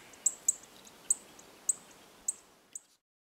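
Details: Chestnut-eared bunting (grey-headed bunting) calling at Oku-Nikko, Tochigi, Japan, giving six short, very high-pitched ticking notes at irregular intervals before the sound cuts to silence.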